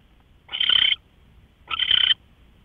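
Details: Two rough, breathy hisses from an owl, each under half a second and about one second apart, recorded at 5:27 a.m. on March 24, 2013.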